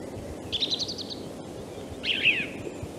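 A song thrush sings a rapid run of six clear, repeated notes, then a brief pause and a twisting, scratchy high phrase, over a soft background hiss.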